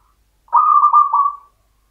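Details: Champion local perkutut (zebra dove) delivering a single phrase in the classic Mataram rhythm: about one second of low, soft cooing broken into three or four rolling beats, then silence.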